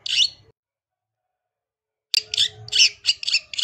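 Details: Long-tailed shrike, 'gacor' masteran singing: one harsh, buzzy note, a silent gap of over a second, then a run of loud scratchy chirps with a low hum behind.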